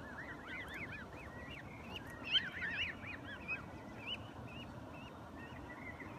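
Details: Adult Canada geese accompanied by goslings. Rapid, high, arched squeaky notes come in irregular clusters, a few louder ones standing out, above a constant low murmuring noise.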